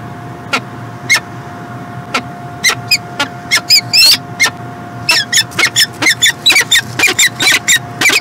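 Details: Peregrine falcon in Montreal, Canada, 2016: sharp broadband clicks and harsh squeaky calls, sometimes in quick clusters, repeated irregularly over a steady hiss with a constant low tone.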